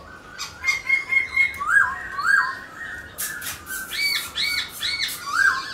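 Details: Caged black-throated laughingthrush sings while dancing: evenly spaced clear whistles, a burst of harsh rasping, then more arched whistled notes repeated about once a second.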